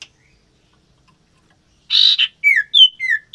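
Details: Captive common iora pair being matched for breeding: after silence, a harsh buzzy rasp, then clear slurred whistles, some falling and some level, in quick succession.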